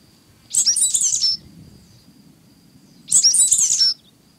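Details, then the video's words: Two identical short, high, buzzy and scratchy phrases from a sooty grassquit (cigarra-do-coqueiro), spaced about two and a half seconds apart, each under a second long. "Canto da Cigarra Preta / Cigarra do Coqueiro | Sooty Grassquit"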